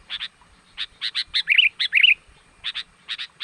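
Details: Sooty-headed bulbul lure call to bring in wild birds: rapid doubled chirps with two bright, wavering warbled phrases in the middle, lively and repeated.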